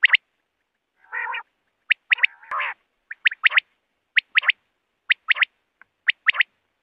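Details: Common quail (batair) calls for night hunting: quick clipped double and triple notes repeated steadily, with a couple of harsh buzzy phrases early on.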